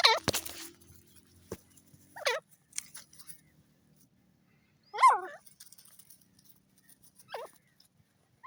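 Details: A Pakistani desi francolin (teetar) gives loud, harsh, squealing call phrases, each about half a second long, repeated every two to three seconds; a sharp click is heard near the start.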